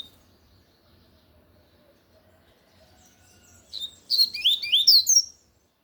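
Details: Lined seedeater belting out its Tui Tui song, silence giving way to a rapid string of piercing, rising and falling whistles lasting about one and a half seconds.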